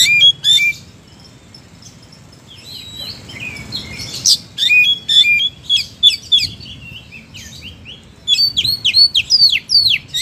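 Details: Energetic oriental magpie-robin song over ten seconds: sharp clicks and whistles, a quiet spell with soft twittering, a burst of rapid chattering notes, then a fast series of falling whistled slurs to the end.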